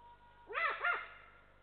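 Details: Adult Eurasian eagle-owl at its nest in Estonia giving warning calls as a lynx walks by, 7 December 2023, nest camera: two quick harsh barking notes, each arching up then down, about a third of a second apart.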